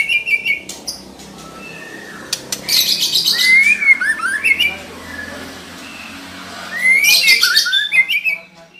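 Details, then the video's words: Female white-rumped shama singing to provoke a male into song; clear whistled phrases rising and falling around two bursts of harsh, scratchy notes, with quiet gaps between. "Suara murai betina memancing murai jantan gacor"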